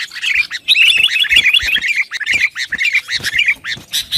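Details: Sooty-headed bulbul song used to provoke rivals and train other birds, a dense run of bright chirping, warbling notes with rapid, busy phrasing and overlapping calls throughout.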